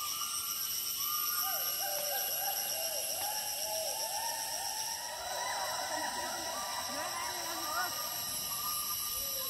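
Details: Several foraging red-breasted parakeets in the forests of Assam, India, give a quick run of short, arched, squeaky call notes, overlapping, over a steady high insect drone.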